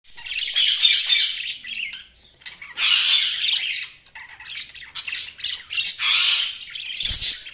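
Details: Budgerigars chirping: harsh, noisy squawks and chatter in bursts of about a second, overlapping warbles with brief pauses between, and a low thump near the end.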